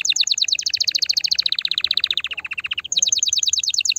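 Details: Male-style canary song aimed at stimulating a female for breeding: rapid rolling trill gradually falling in pitch over three seconds, then a sudden jump to a higher, quick repeated tour.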